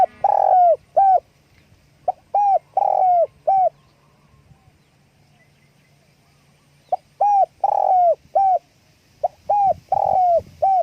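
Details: Spotted dove calling with wing flapping: four bursts of soft, mellow cooing, each a quick short note followed by longer drawn-out coos, separated by a three-second quiet pause midway, over a faint low hum.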